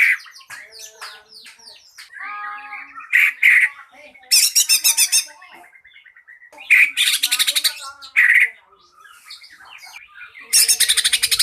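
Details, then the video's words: Green leafbird lure song for making other birds sing: varied chattering, squeaky notes and rapid rattles, with loud pulsed trills recurring among softer twittering. "KICAU CUCAK IJO PANCINGAN PALING DIJAMIN IKUT BERKICAU"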